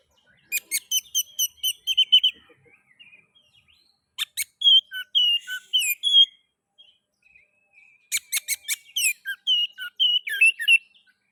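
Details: Oriental magpie-robin (kacer) lure song to encourage other magpie-robins to sing: three bursts of rapid repeated chips mixed with varied whistled notes, each burst lasting about two seconds and separated by quiet gaps.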